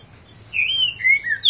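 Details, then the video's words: Green-winged saltator singing in the boi song style: a short phrase of clear, loud whistled notes, a sustained level whistle followed by slightly lower slurred notes and a higher closing note. "Trinca ferro boi"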